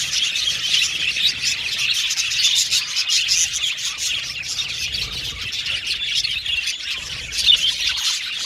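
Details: Flock of budgerigars keeps up a lively, high-pitched chatter of chirps, squeaks and warbles, overlapping constantly, with a slightly louder chirp burst near the end.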